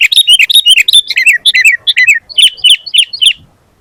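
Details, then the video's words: Sooty-headed bulbul singing vigorously, recorded as a master and lure track to draw other bulbuls into song: fast, tumbling, bright chirping notes give way to a slower run of spaced, paired sharp notes that fade out. "SUARA BURUNG KUTILANG GACOR FULL ISIAN"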